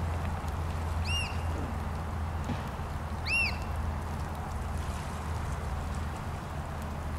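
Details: Black Oystercatchers at Porteau Cove on February 14, 2013, one giving two loud, piercing whistled calls, each rising then falling, about two seconds apart, over a steady deep rumble.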